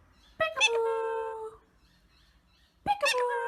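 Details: A pet male Indian ringneck parakeet says 'peekaboo' twice when prompted by its owner, in a nasal, slightly buzzy voice. Each word has a sharp start and a drawn-out falling end, with a pause between.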